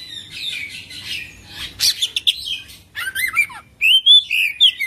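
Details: Kacer (Oriental magpie-robin) singing a full isian, ngerol song: a burry warble, clicks and sharp bursts, then clear rippling whistles and a bright sustained whistled phrase, with a quiet background.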